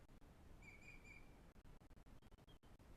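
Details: Osprey at the Pont Croesor breeding nest in the Glaslyn Valley, North Wales, caught on a live nest camera: a faint, short run of high whistled chirps over a constant rural background rumble.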